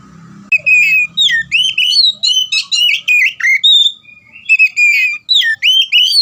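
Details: Loud gacor ngeplong singing from an oriental magpie-robin, played to rouse quiet birds: a faint low hum gives way to rapid, ringing whistled notes with sharp bends, densely repeated with brief gaps.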